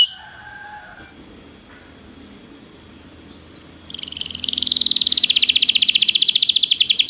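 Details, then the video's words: Belgian canary song for practice: a few seconds of faint background and soft tones, a single sharp note, then a high trill that swells into a loud, rapidly pulsing roll of repeated notes. "Estimulação para que o seu canário cante com diligência - o melhor treino para canário belga"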